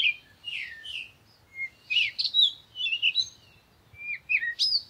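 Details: Parakeet producing irregular clusters of bright chirps, scratchy notes and quick slurred whistles, with short pauses between the bursts.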